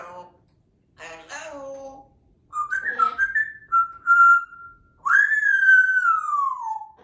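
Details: Pet African grey parrot saying hello and whistling Tchaikovsky's 1812 Overture: a few speech-like, voiced sounds, then clear whistled notes stepping upward, a held pure tone, and a long whistle sliding slowly downward.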